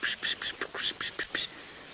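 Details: On a morning safari drive on 8 July 2016 in the greater Kruger area, a whole flock of oxpeckers flies past overhead, heading for buffalo, nyala or impala, giving a rapid series of harsh, hissing, buzzy calls, about eight bursts in 1.5 seconds, then falling quiet.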